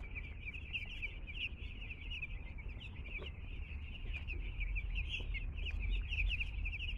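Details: Newly arrived two-day-old chicks at home, many peeping together in a dense, unbroken chorus of high, shrill cheeps that grows slightly louder toward the end, with low rumble underneath.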